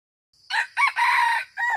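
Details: A single crow from a wild red junglefowl cock: four raspy parts, a clipped start, a quick upward note, a sustained buzzy stretch and a short dropping ending. The background is quiet.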